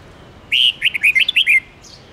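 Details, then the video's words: Forest-style song of a red-whiskered bulbul, played for teaching young birds: one bright phrase of six or seven whistled, slurred notes in quick succession, the last falling away, over faint steady noise. "Luyện chào mào hót giọng rừng âm cực dài"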